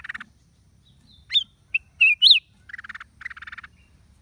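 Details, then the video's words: Black-crested bulbul, recorded 29 December 2023: a few clear, sharply rising and falling whistles, bracketed by softer buzzy rattling chatter at the start and end. "เสียงนกปรอดเหลืองหัวจุก นกหัวถ่าน cang jambul"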